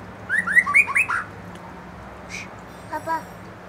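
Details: Young wild-caught white-rumped shama, one of forest stock and fledglings being provoked to sing: a quick burst of rising, clear whistled notes, then faint scattered notes.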